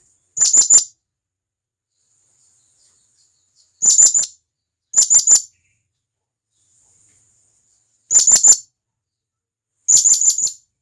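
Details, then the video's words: Wild blue-crowned hanging parrot calling to companions: very high, sharp, thin notes given in quick bursts of three or four, each burst under half a second, spaced irregularly a few seconds apart, against silence. "Serindit Gacor,Masteran Burung Serindit Ampuh"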